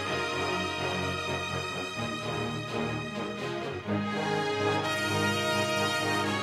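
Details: Orchestral theme music plays throughout, rich and sustained, with no animal sound.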